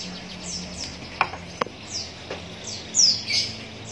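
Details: Javan munia chicks begging while being hand-fed through a used drinking straw: high, thin, downward-sliding chirps come in short bursts, with a few sharp clicks and a faint low hum behind.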